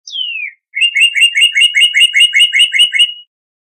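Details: Northern cardinal song: one clear, long, downslurred whistle, then a brief pause and a fast run of about a dozen short, even, repeated chip-like notes, roughly two and a half per second, on a clean, quiet background.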